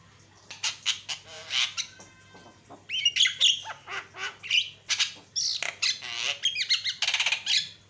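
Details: Javan myna song used to provoke other mynas into responding: a harsh, varied jumble of squawks, chatters and rising whistles in quick bursts, with a faint steady hum beneath.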